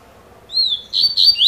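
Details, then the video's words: Opening of a 'cilada' song by a double-collared seedeater labelled 'fibra': a long arched whistle, then bright repeated whistled notes. The phrase is cut short, with a low background hum throughout. "COLEIRO FIBRA (CILADA)"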